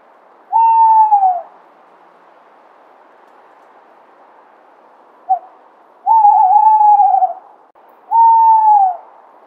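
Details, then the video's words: Tawny owl hooting: three long, hollow hoots, each about a second, the middle one slightly wavering, against a quiet background. "Tawny Owl - Sound, Call, Song, Voice, Hooting"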